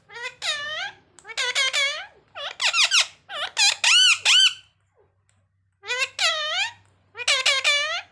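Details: Parrot repeating rapid bursts of harsh, buzzy squawks in clusters of three to five, pausing briefly between bouts, loud and insistent throughout.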